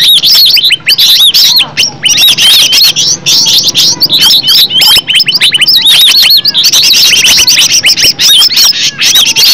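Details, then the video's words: Wild green leafbird in original natural sound, used as a lure. A long, dense outpouring of high whistles, twitters and sharp chips, steady and energetic from start to finish. "Cucak ijo suara alam suara asli,pancingan cucak ijo bakalan LANGSUNG BUNYI,NYAUT dan GACOR"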